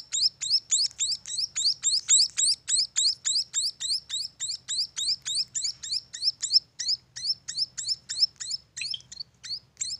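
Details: {'caption': 'Baby munias at a bird farm keep up a long fast series of high rising chirps, slightly over three per second, becoming sparser and uneven toward the end.'}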